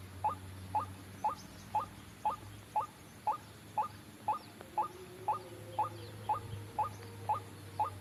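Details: White-breasted waterhen on a trapping lure: steady, sharp rising notes repeated roughly twice per second for the whole stretch, above a soft low hum and a brief faint tone midway.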